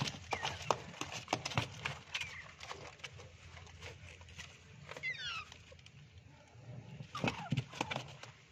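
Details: Rose-ringed (ringneck) parakeet gives a few sharp, downward-sliding squawks, set among scattered clicks and knocks over a low background hum.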